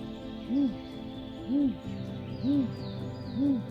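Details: A great grey owl high in pine branches during the spring thaw gives four low, soft, arched hoots, about one each second, over steady background music.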